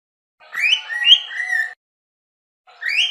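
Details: A cockatiel sings a warbling, whistled phrase of rising and wavering notes lasting over a second, then starts another after a short pause.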